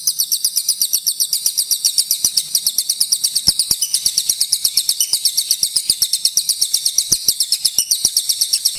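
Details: Sunda warbler singing as a model for training magpie-robins: an unbroken stream of high, sizzling, rapidly repeated trilled notes lasting nearly nine seconds, with scattered faint clicks in the background.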